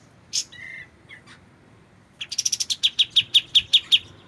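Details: White-shouldered triller recorded clearly to teach magpie-robins: a single sharp note and a short flat whistle, then a quickening string of about fourteen bright chirps held at an even pitch.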